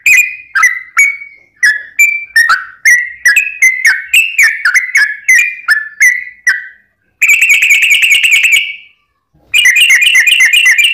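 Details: Sooty-headed bulbul in long rapid-trill lure song, meant to provoke other birds: many quick whistled notes stepping up and down, then a dense buzzy trill lasting over a second, silence, and the trill resuming.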